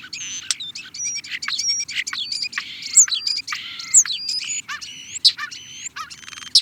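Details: Busy European starling song of squeaky whistles, clicks and rattles, high upslurred whistles repeated in sequence amid constant chattering, with a faint low background hum.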